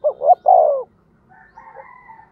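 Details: Spotted dove decoy bird giving one coo phrase to urge others to call. Two short notes and a long falling coo, followed by faint, thin, higher sounds.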